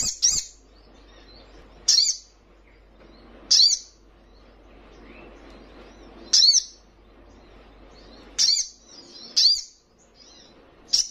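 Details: Young spiderhunter in full voice, meant to provoke rival birds: sharp, high, piercing single notes at irregular intervals of about two seconds, seven in all, over a faint low background hum.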